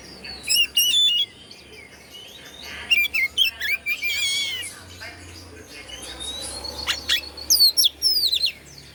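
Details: White-rumped shama in Indonesia singing to provoke other shamas: whistled and trilled phrases in bursts, with a buzzy warble and sweeping notes over a noisy background.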